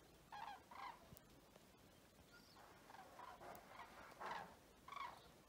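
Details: Common cranes at Vic-la-Gardiole, Occitanie, France, on 25 February 2024: several faint, distant rolling calls in short bursts against a steady noisy background.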